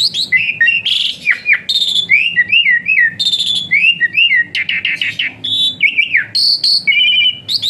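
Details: Rich, rambling song of an Asian pied starling, used as training material for other songbirds: continuous mix of wavering whistles, quick upslurs, descending notes and scratchy buzzes, run together without pause.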